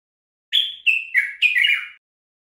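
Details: Common bulbul (Pycnonotus barbatus), Moroccan garden bulbul, on a song-tutoring recording: a quick phrase of four rich, fluty notes, each stepping lower, with a slightly throaty final flourish, lasting about one and a half seconds.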